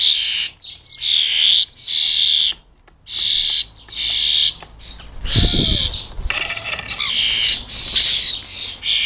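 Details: Rasping, hissy begging bursts from European starling fledglings being fed in the UK, separated by short silences, with one low knock midway and denser overlapping calls toward the end.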